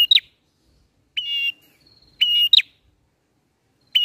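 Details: Bar-winged prinia singing ngalun song, meant to lure birds for trapping: uneven phrases of flat whistles and quick falling notes, separated by irregular pauses.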